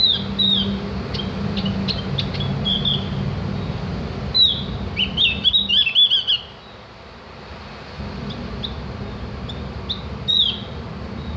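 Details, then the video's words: Javan grey-throated white-eye, known as opior jawa, used to teach birds to chatter and sing: scattered high chips, then a dense burst of bright slurred twitters midway, fading to occasional notes over low background hum. "masteran burung opior jawa atau cak gentong agar ikut ngriwik dan bunyi"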